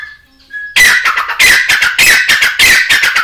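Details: Grey francolin linked to hunting: after a faint thin whistle, a loud harsh series of clustered, scratchy notes begins and repeats in quick rhythmic groups.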